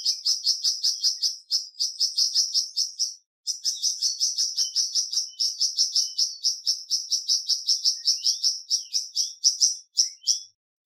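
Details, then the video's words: Flamboyan bird singing a long run of sharp, high, ringing chips at a brisk even pace of about four or five per second, with one brief break, ending in a few spaced notes. "Terapi Cepat Bikin Burung Flamboyan Buka Paruh dan Gacor"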